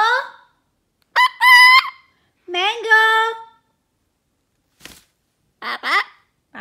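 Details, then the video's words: Pet male severe macaw, a year and a half old, mimicking laughter and copying the name of a sun conure in the same household: a few separate harsh, nasal, harmonic calls, some rising then levelling, with short gaps and faint clicks between. "Severe macaw mimicking laugh!"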